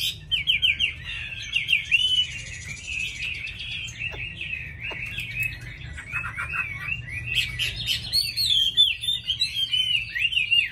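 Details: Captive Chinese hwamei, a trained songbird, pouring out an unbroken, varied warbling song of looping whistles and quick trills, steady and loud throughout.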